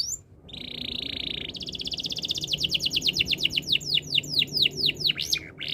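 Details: Canary opens with a steady buzzy tone, then builds a rapid trill that slows into repeated downward-sweeping whistles, about two each second.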